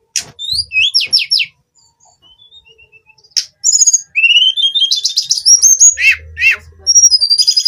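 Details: Hill blue flycatcher daily song: quick downslurred whistles, a faint series of soft notes, then a long, lively stretch of rising whistles and rapid buzzy trills.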